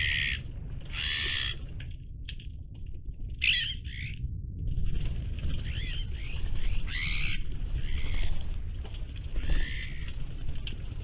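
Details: Iberian magpies calling: several harsh, chattering notes with buzzy rising and falling sweeps at intervals, over steady low rumbling background noise.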